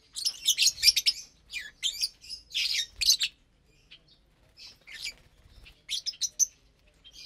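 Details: Several lovebirds eating their morning food together; loud, harsh, high chirps in rapid clusters, then a lull with soft calls before another burst of shrill squeaks.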